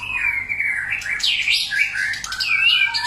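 A White-rumped shama sings a rich, varied string of clear whistles, slurred rising and falling phrases with quick chattery notes between, over faint background hiss.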